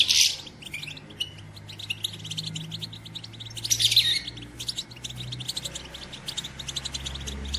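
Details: Female European goldfinch batbata chatter, meant to stimulate males to sing and mate: continuous fast, high twittering with two louder bursts near the start and middle, over a steady low hum.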